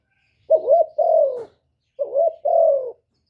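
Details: Two spotted dove coo phrases. Each has a short looping note, a brief rise, then a drawn-out hoot that slides gently downward, clear and close against a quiet background.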